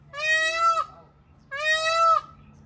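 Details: Two loud, brassy, nasal wails from an Indian peafowl in a zoo, each lasting under a second with a slight rise at the end, separated by a short pause over quiet background hum.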